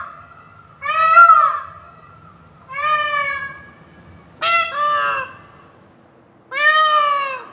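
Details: Adult male Indian peafowl giving its powerful, high-pitched, far-carrying call: four loud, nasal, wailing cries spaced about two seconds apart, the third sharply doubled, each rich in harmonics.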